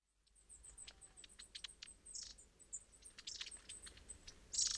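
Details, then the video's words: Long-tailed tits flocking around suet feeders at Saltersford Locks in Cheshire, winter 2012/13: many thin, very high tsee calls and short clicking notes, overlapping continuously from the flock. "Long Tailed Tits Flocking around suet feeders"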